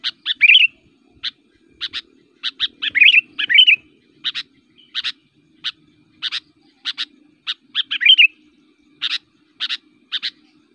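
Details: Persistent kutilang provocation song from a Sooty-headed Bulbul said to make other bulbuls agitated. Clipped double and single chirps repeat irregularly across ten seconds, interrupted three times by short bursts of bubbly, slurred warbling.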